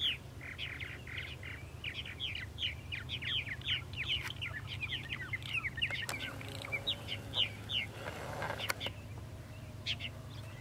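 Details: Purple martins at a nesting colony, many birds chattering at once: dense rapid chirps and gurgling notes throughout, with a few sharp clicks and a low steady hum underneath.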